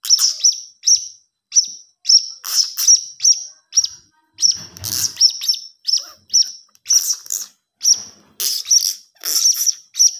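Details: A blue-crowned hanging parrot chick chirps steadily in shrill, high squeaks, often paired or in short rapid groups, across the whole recording with barely any pause.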